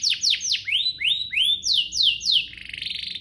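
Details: Canary singing to spur other canaries into song: a run of loud, high, descending swept whistles repeated about three times a second, ending in a rapid buzzy trill.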